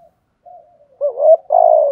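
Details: Soft, low murmured coos of a spotted dove lead into one loud phrase: a wavering rising note followed by a sustained, gently falling coo. Part of its urging and calling coo pattern.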